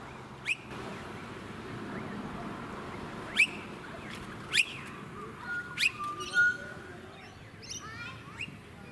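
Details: Blue-faced honeyeater (Entomyzon cyanotis) in suburban Sunshine Coast, Queensland, March 2018: short sharp rising notes sounding at scattered intervals, some in quick succession near the end, over steady wind and low suburban rumble.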